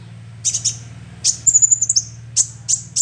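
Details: Juvenile sunbird lure sound: a few sharp high chips, then a fast thin twittering trill falling slightly in pitch, followed by more isolated chips over a low constant hum.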